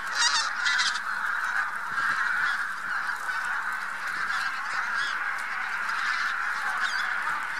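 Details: Bean Geese with some White-fronted Geese gathered on spring migration in central Poland, 3–4 March 2018; a thick, loud clamour of overlapping honks, slightly louder and more cackling at the start, then steady.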